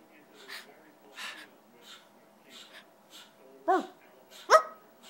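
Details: A pet scarlet macaw making sounds and talking gives soft breathy puffs, then two loud, harsh, voice-like syllables that slide downward, about a second apart.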